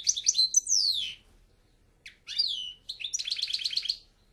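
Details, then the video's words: Goldfinch song in short bursts: sharp twitters and descending whistled slurs, a silent gap, then a buzzy rapid trill repeated quickly. "El Jilguero"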